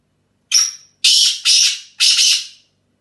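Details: In England, a black francolin of the Dasi speeder teetar type utters a brief whistle-tinged opening note followed by three harsh, buzzy, grating notes, two run close together, then a pause before the last, in otherwise silent surroundings.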